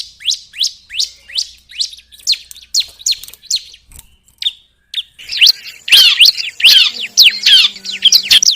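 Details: Bar-winged prinia lure sound: a steady run of about a dozen clear, high downslurred notes, roughly two per second, then after a short gap a louder, dense jumble of overlapping chirps.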